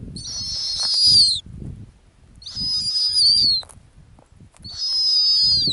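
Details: On a ground nest in the Arctic, a female snowy owl utters three long, piercing whistled notes, each holding steady before dropping slightly, separated by pauses with soft low rumble.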